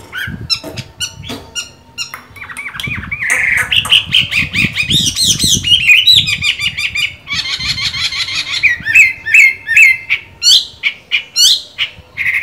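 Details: Chinese hwamei, green-bean-eyed, in full song despite its moult: starts with scattered sharp notes, then builds into dense, warbling whistled runs and buzzy trills, ending with a series of evenly repeated loud notes.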